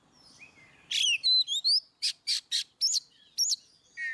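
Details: Oriental magpie-robin giving ngeplong song to stir quiet birds into singing: a soft low whistle, then bright sliding whistled notes, a series of four loud buzzy bursts, and two sharp rising-falling whistles.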